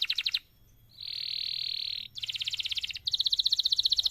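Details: Canary tutor song to set other canaries singing: fast rolling trills alternating with a steady, sustained buzzy tone.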